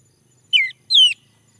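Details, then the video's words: Male orange-headed thrush prompted to sing, uttering two clear whistled notes, each sliding downward in pitch, the second longer, in otherwise quiet surroundings. "Anis merah jantan, agar bunyi"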